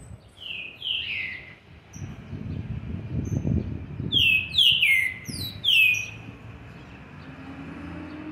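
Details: Young green-winged saltator, seven months and twenty days old, with soft whistled notes early, then a clear phrase of four loud downward-sliding whistles around four to six seconds, over steady background hiss.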